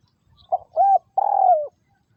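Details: Spotted dove, a caged decoy bird kept for trapping in Vietnam, giving a 'Liêu Rồng' style call: a short coo, then an arched coo, then a long, slightly pulsed coo that slides downward at the end. The background is quiet apart from a faint low rumble.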